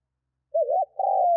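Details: Spotted dove cooing, used as a lure to stir wild doves into calling: a single low phrase, a quick wavering trill followed by a longer, steady mellow coo, cut off at the end, on a silent background.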